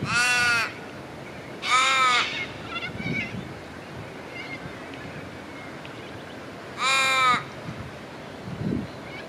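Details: Australian wood duck feeding in Perth, Australia, giving three loud, nasal, drawn-out calls, each under a second and rich in harmonics, spaced several seconds apart over soft background murmur.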